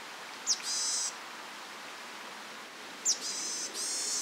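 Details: A varied tit gives two phrases about two and a half seconds apart, each a thin, high, falling note followed by a drawn-out, buzzy, nasal tone, a call similar to the Japanese tit's; faint hiss underneath.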